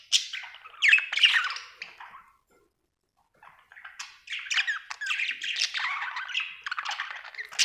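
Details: Happy budgerigar chatter of scratchy, squeaky chirps in two bursts separated by a short silence.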